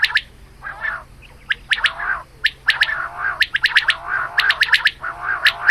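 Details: Female quail calling in the morning, a hunting call recording: rough, buzzy chatter with rapid runs of sharp, high pipping notes that grow denser toward the end, over a soft steady hum.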